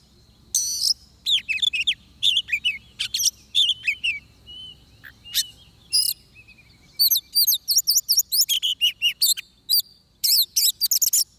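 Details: Extended singing by an Oriental magpie-robin at a trapping site in Vietnam: repeated bouts of sharp, high chirps and quick slurred whistles, including a fast rhythmic series near the end, with short gaps between phrases.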